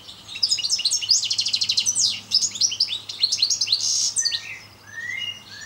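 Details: European goldfinch of the subspecies parva in full song: rapid tinkling twitters and a run of buzzy trilled notes, bright liquid phrases tumbling together, then a few slower rising whistled notes at the end.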